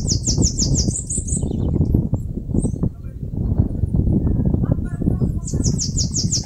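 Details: Bananaquit (caga-sebo) singing as it builds a nest in a mandacaru cactus in northeastern Brazil: short runs of high, rapid buzzy notes at the start and end, partly drowned by loud continuous low rumbling noise.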